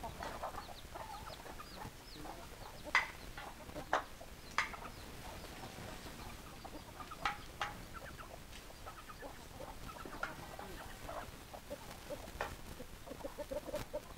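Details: Chickens being called with their favourite feed cluck in short, scattered notes, a few sharper calls standing out early on, over a steady background hiss.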